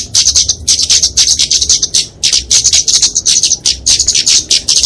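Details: A flowerpecker (Dicaeum, kemade) in combative song, used as a lure and tutor for small birds, gives thin, very high, rapid ticking and buzzy notes in dense bursts, with short pauses about every second.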